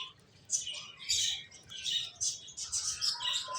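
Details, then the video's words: Several finches chirping together: quick high twittering notes and short trills overlapping almost continuously after a quiet first half-second, with a few lower whistled notes underneath. "Beautiful Finches Sounds"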